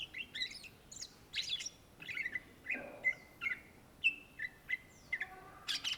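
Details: Greater green leafbird (cucak ijo) in lively song: a jumble of sharp chirps at first, then a run of clear, downward-slurred whistled notes repeated roughly every half second.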